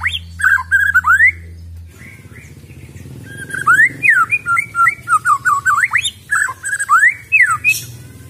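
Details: Wild-caught, untrained white-rumped shama singing a rapid run of varied whistled phrases, with rising and falling slurred notes between short pauses, after two seconds of low hum at the start.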